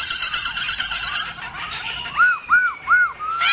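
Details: Black-throated laughingthrush singing a forest-style song meant to stir other laughingthrushes into display: a rapid run of repeated bright notes, then three clear arched whistles, each rising and falling.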